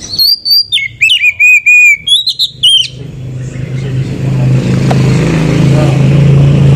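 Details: Oriental magpie-robin song played as a lure to stir other magpie-robins into song: a burst of high, sliding whistles and chattering notes for three seconds, then loud engine and traffic rumble.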